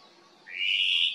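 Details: ʻŌmaʻo (Hawaiian thrush) on the Kaulana Manu Nature Trail, Island of Hawaiʻi, calling to its cohorts: one harsh, raspy note that rises and then holds steady for about half a second against a quiet background.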